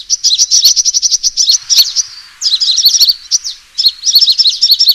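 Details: Sunbird fighting call used as a trapping lure: a quick even series of high ticking notes, then a short pause before agitated, jumbled twittering bursts resume.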